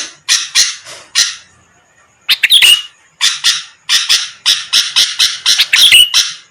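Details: Sooty-headed bulbul, used as a lure to draw quick responses from rival birds: harsh, scratchy chattering bursts in quick series, broken by a short pause, with a couple of brief clear whistled notes mixed in.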